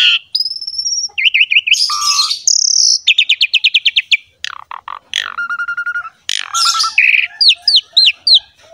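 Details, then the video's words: Energetic Javan pied myna song for training other mynas: sustained high whistles, wavering trills, rapid evenly repeated notes and harsh buzzy bursts, ending with quick upward-sweeping whistles. "MASTERAN JALAK SUREN GACOR FULL ISIAN MEWAH INI"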